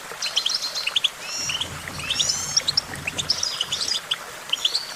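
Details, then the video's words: Cheerful goldfinch song of rapid chirps and short buzzy trills in quick bursts, with several birds overlapping and a low murmur beneath them. "Vocal virtuoso: activating enhancing your goldfinch songbird prowess"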